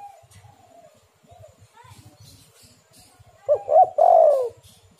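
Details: Spotted dove cooing used as a lure: soft faraway coos and murmuring, then a near bird gives two quick notes and a long falling coo, with low repeated knocking in the background.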